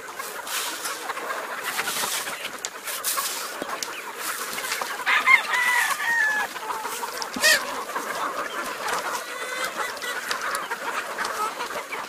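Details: Large farm flock of roosters and chickens running at feeding time; steady overlapping clucks and squawks from many birds, with a few louder rooster-like calls standing out midway over a constant rustling din.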